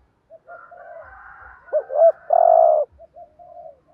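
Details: Spotted dove used as a decoy, cooing insistently (thúc gù) to excite rival males. Low hushed coos build to a pair of looping notes and a loud sustained coo, followed by short soft coos.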